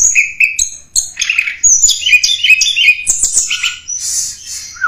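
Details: Lure recording of a mountain tledekan singing: rapid high, thin chirps and short whistled notes tumbling together, some buzzy rising and falling phrases, ending with a brief downward-sliding note.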